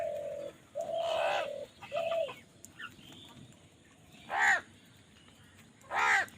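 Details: Crows calling while fighting over food: two loud, rasping caws near the end, after steady flat droning tones and softer calls in the background.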